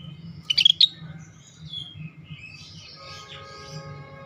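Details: Lively scaly-breasted bulbul song, from a rare tutor recording for training songbirds: a quick burst of three or four sharp, bright whistled notes near the start, then fainter scratchy sounds and a low background hum.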